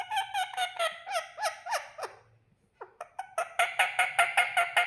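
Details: A pet green ring-necked parrot gives rapid, harsh, vowel-like squawks and bent-pitch calls, about two or three a second, with a brief pause midway, while its owner repeats "mithu".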